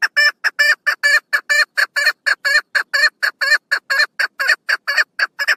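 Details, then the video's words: A steady, vigorous series of loud, harsh chuck notes, roughly four per second, continues throughout from a female chukar partridge recorded on 1 June 2022. "Female chakor best voike"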